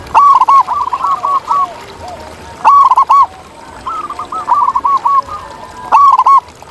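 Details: ['Several wild zebra doves in nature trade bubbling, rolling coos. Loud, sharp-edged bursts come every few seconds, with longer softer series of quick notes between them.']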